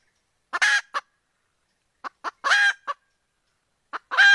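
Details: Chicken calling: short harsh honking notes with rich harmonics, given singly and in quick pairs, in three bursts about every one and a half seconds against a quiet background.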